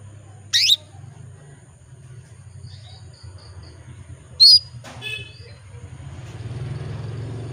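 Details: Female canary calling to males, a lure recording for cage-bird keepers: two short, sharp upswept chirps about four seconds apart, over a low steady hum and faint background noise.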